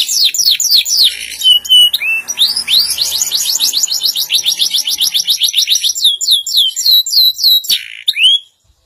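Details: Canary, kept as a pet, in loud continuous song: rapid series of downslurred high notes, brief whistles, and trills repeated several times a second, ending abruptly.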